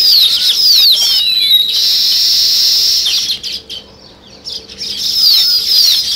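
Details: Near a nest being built by weaver birds, sparrows give sweeping, slurred high chirps and a sustained buzzy chatter. A brief lull follows before the twittering picks up again.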